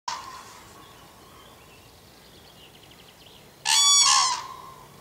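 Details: A Common Crane in May gives a loud, rolling trumpeted call after a fainter bugle at the start.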